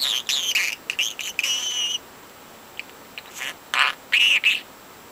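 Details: Talkative four-month-old pet budgie; a run of rapid scratchy chirps and a sustained whistled tone, followed after a pause by scattered clicks and harsh bursts of chatter.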